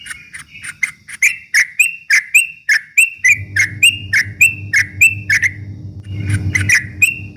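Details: Straw-headed bulbul singing, a lure meant to stir up rival birds: a steady run of loud, short whistled notes, roughly two per second, over a low droning background hum in the second half.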